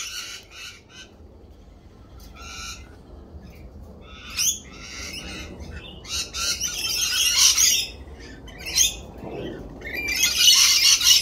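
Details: Harsh screeching bursts from lorikeets in spring, at first sparse and spaced, then growing into loud, buzzy, crowded shrieks toward the end.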